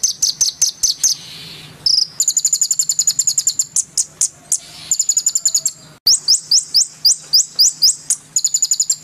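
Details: Murai batu, the white-rumped shama, singing hard and excitedly in a training recording: bursts of rapid, ringing high notes broken by short upslurred whistles, with a faint low hum underneath.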